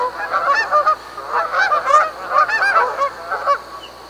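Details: Honking of Canada geese: nasal, slightly rising honks in bursts of two or three, separated by short quieter gaps.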